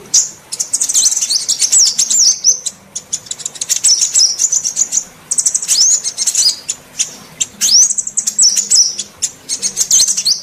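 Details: Female sunbird call used to attract and provoke males of all sunbird types: long sequence of shrill high chirps and twittering trills, with some notes sweeping sharply upward, repeated in dense bursts throughout.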